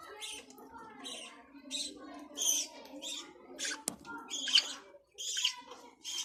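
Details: Budgerigar (Australian parrot) chattering with a steady run of scratchy, warbling notes and short squeaky chirps in irregular bursts, with one sharp click near the middle.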